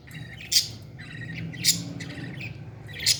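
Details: Parrot chick at feeding time, three sharp harsh squawks roughly a second apart over softer raspy murmuring, with a steady low hum in the background.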